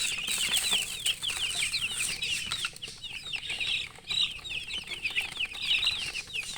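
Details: Chickens giving steady, dense chirping, with many thin, high, upward-sweeping peeps packed closely together and continuing almost without pause over several seconds.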